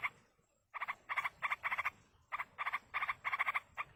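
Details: Wild yellow-vented bulbul nestlings begging as their parent feeds them: after a short silence, buzzy rasping bursts of two to four quick pulses follow one another with brief gaps, with one longer pause midway.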